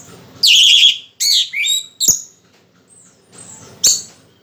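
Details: Orange-headed thrush (Geokichla citrina), a bird still moulting yet singing strongly, sings a few loud, high, varied phrases: a rich warble, then short slurred notes, with two sharp clicks in between.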